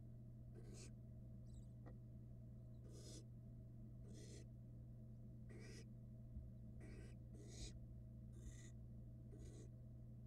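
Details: Two barn owl nestlings feeding on rats next to each other in a Florida nest box, 2022. Harsh, breathy hissing screeches repeat roughly every second, each lasting about a third of a second. A constant low hum runs throughout.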